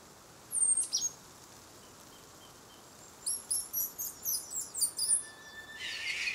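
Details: Hihi (stitchbird) on predator-free Hauturu-o-Toi / Little Barrier Island, New Zealand: two thin, high notes, then a quick run of about eight sharp, buzzy high-pitched notes over two seconds, followed by a soft hiss.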